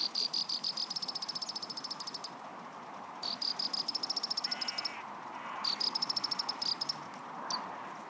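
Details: A graceful prinia gives its warning call: high, dry, rapidly repeated notes in bursts of one to two seconds, rising slightly in pitch, over soft background hiss.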